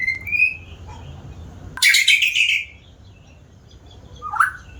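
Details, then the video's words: White-rumped shama, noted as a keen singer: a rising whistle, a loud harsh scratchy burst mid-clip, then after a quiet stretch a single swooping whistled note. "Burung murai batu rajin bunyi ni contohnya"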